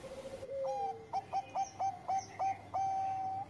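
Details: Engkel-style song of a Bangkok zebra dove, meant to spark breeding mood: a soft low coo, then a steady series of short clipped notes about every quarter second ending in a long held note, over a steady background hiss.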